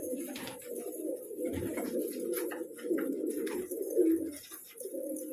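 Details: Several kept colourful pigeons produce a dense chorus of deep, rolling coos that barely pause. There is a brief louder burst near the end, and light scratching and fluttering sounds in the background.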